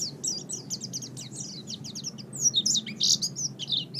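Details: Chattering Oriental white-eye, recorded for songbird training, pouring out rapid, thin twitters that turn into louder, piercing, squeaky notes in the second half.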